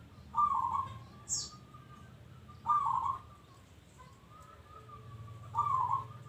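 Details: Local zebra dove in full song, giving short trilled coo bursts every couple of seconds, each followed by a long, thin, level tone; one quick high chirp from another bird cuts in early.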